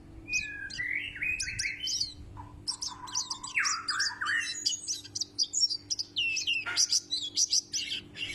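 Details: White-eye, a loud-voiced pleci, singing a lively jumble of high chirps, short trills and quick slurred whistles, with sweeping phrases dipping lower between bursts. Soft steady hum underneath.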